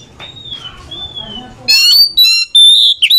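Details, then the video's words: Oriental magpie-robin trading song with another bird to encourage a reluctant singer: quiet drawn-out whistles at first, then loud buzzy rattles and a clear, ringing high whistle. "SEKALI DENGAR LANGSUNG IKUT SAUT SAUTAN KACER LELET BUNYI ATAU MALES BUNYI"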